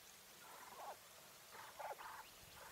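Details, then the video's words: English White Coturnix quail hen giving a run of short, nasal, harmonic calls in two close groups, the second louder, against faint background hiss. "Quail call sounds | Female / Hen | Coturnix | Bird"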